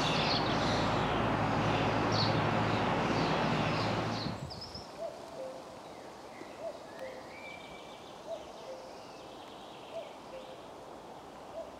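An owl gives short, low, hollow hoots, evenly spaced about every one and a half seconds. Faint high songbird notes and loud wind rumble open the recording.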